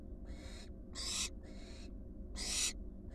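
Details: Wild barn owl fledglings, four of them, returned to the nest box; three rasping, breathy hiss-screeches about a second apart, the last loudest, with a low background hum.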